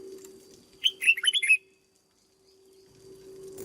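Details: Short burst of song from a caged red-whiskered bulbul under training: five or six loud, liquid whistled notes run together in under a second, then silence, with a steady background hum.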